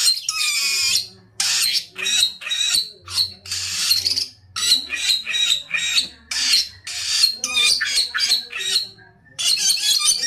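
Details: Samyong singing vigorously: bursts of harsh, broadband screeching notes, each under a second long, separated by short silences, with a few thin whistled slurs mixed in and a low hum underneath.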